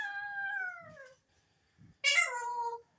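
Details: Alexandrine parakeet whistling: a long tonal note sliding slowly downward, a short pause, then a louder harsher note that also falls in pitch; little else heard.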